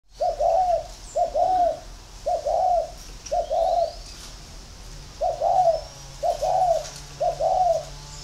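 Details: Spotted dove from a bird keeper in Ba Vì, Hanoi, Vietnam, cooing in competition against a ground decoy bird. Seven low, mellow doubled coos come in two runs, about one each second, with a faint hum in the background.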